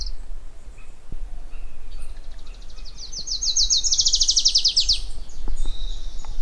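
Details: Adelaide's warbler from Puerto Rico gives a fast, high, accelerating trill over steady low rumbling background noise, with a few faint clicks and other distant chirps.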